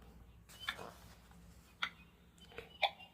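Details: Only a few sharp clicks and taps in a quiet room, roughly one per second, with no animal voice.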